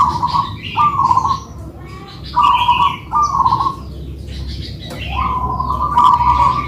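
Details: Duet of two local-type zebra doves, kept birds: rolling, trilled coo phrases repeat in short bursts, the last one longer and more drawn out, over a steady low background hum and faint higher chirps.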